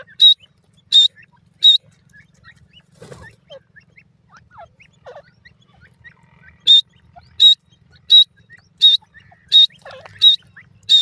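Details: Grey francolin playing with its young: three short shrill notes, then a quiet pause of about four seconds with faint rustling and soft chirps, then a steady run of seven sharp notes about 0.7 seconds apart.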